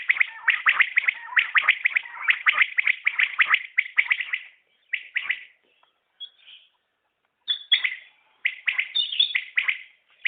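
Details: {'caption': 'Fast common quail calls in long runs of bright clipped notes, a brief pause midway, then more stuttering three-note phrases.'}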